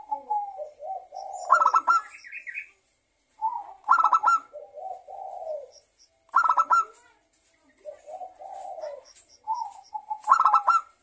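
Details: Local zebra dove giving a lure song meant to make other doves sing: four repeated phrases, each a low rolling coo rising into a rapid ringing burst, roughly every two and a half seconds.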